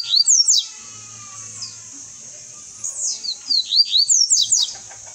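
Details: Caged double-collared seedeater singing to pass on its song: two bursts of rapid, high, sharply slurred notes. The first is short; the second is a longer series of about eight notes. A faint low hum runs underneath.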